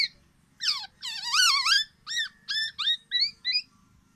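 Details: Tame black-naped oriole in full, loud characteristic song: a short high note, then a long rolling series of nasal, overtone-rich wavering notes, followed by spaced paired upslurred whistles repeated about every half second.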